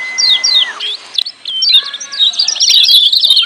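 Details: Lemon-bellied white-eye 'ciak' calling for training silent birds: a long level whistle that drops away, short paired chirps, then an accelerating burst of high scratchy twitters.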